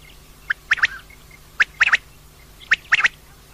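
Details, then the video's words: Three rounds of female common quail calling, each a sharp single note then a rapid double note, spaced about a second apart, with faint high pips in between and a low background hum. "common Quail Calling, Female Batair Ki Awaz"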